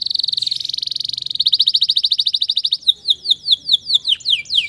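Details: Canary; song; stimulating silent, stressed canaries to sing again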